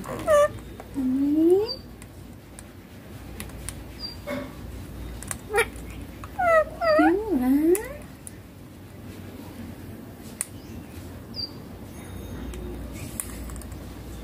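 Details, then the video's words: Baby rose-ringed parakeet calling: a run of wavering, rising tonal calls with rich harmonics, some in quick paired bursts around the middle, then faint high chirps over a steady low background hum. "Baby ringneck parrot natural sounds papa mummy"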